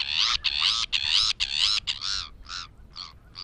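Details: Sabine's gull giving a rapid series of harsh, grating, harmonic-rich calls, the first several long and run closely together, then shorter, more separated and quieter notes toward the end; no other clear sounds.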